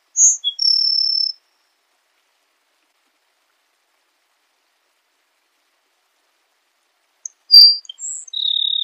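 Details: Two songs of a Grassland sparrow separated by about six seconds of silence. Each opens with short piercing high notes and runs into a flat, insect-like buzz. The second buzz is cut off at the end, with a quiet background.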